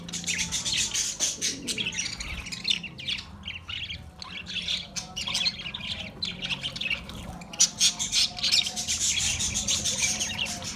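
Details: Australian parrots chirping and squawking in a dense, continuous chorus of sharp high notes, several birds calling over one another with short bursts throughout.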